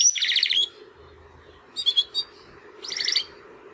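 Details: Young male Timbrado canaries, two captive brothers hatched in the second breeding round of 2020, making first singing attempts after their first molt: short bursts of rapid trilled notes separated by pauses, with a fainter chirp cluster between.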